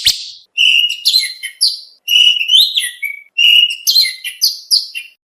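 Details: Oriental magpie-robin contest practice song: clear whistled phrases, some level and some rising, with short ringing notes. The phrases are separated by brief silences.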